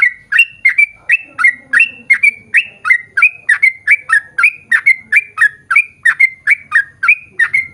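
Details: Sooty-headed bulbul lure song for drawing other bulbuls to sing: an unbroken stream of clear whistled upslurred notes, about three each second, even and lively throughout.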